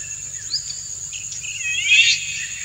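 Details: Male Indian golden oriole performing courtship song to excite a female, who dances along; brief upward notes lead into a loud, harmonically rich rising call near the end, with shrill insects droning throughout.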